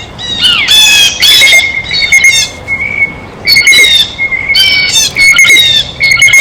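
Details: Blue jay feeding at a feeder, uttering rough, scratchy squawks in bunches, around ten calls, the intervals filled by a constant thin high-pitched tone.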